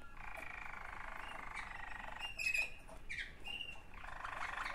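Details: Waterslager canary, one of two sibling birds, indoors; long rolling trills broken by a few short sharp whistled notes and softer rustling.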